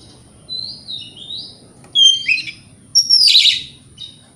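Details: Oriental magpie-robin provoking song: soft wavering whistles first, then louder buzzy slurred phrases and a high descending trill-like burst over faint low hum.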